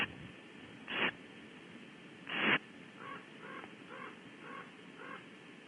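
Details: Common raven (Corvus corax) cawing at Audubon Starr Ranch, recorded at a barn owl nest: two loud, harsh, rasping caws a second and a half apart, then a fainter run of five shorter, more tonal calls over steady hiss.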